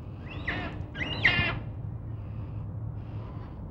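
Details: Two loud, harsh, screeching calls from black cockatoos at Nerrina, Victoria, recorded in 1999. The second call is longer and quavering. Quieter rasping and a low rumble follow.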